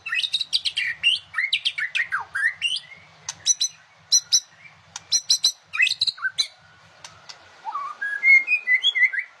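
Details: Singing white-rumped shama delivering dense bursts of rich whistles, sweeping slurred notes and quick ticking clicks, ending with a rising series of clear whistled notes over a faint steady tone.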